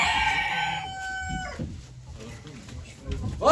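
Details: Rooster crowing at a poultry auction in Ankara in 2023: a sustained, steady, strongly harmonic crow for about a second and a half, then a quieter pause with murmuring voices and a rising call at the end.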